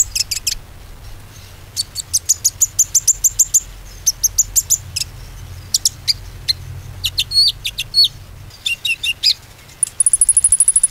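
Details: A konin sings to prompt other birds to sing again. Rapid series of high, sharp notes with some short trills, varied phrases and a final thin, very high trill, over low background rumble.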